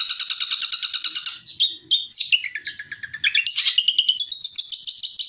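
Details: 'Tembakan' style long-tailed shrike song meant for training birds; a buzzy rapid trill opens, then varied sliding whistles and chatter, with a soft low rumble in the background.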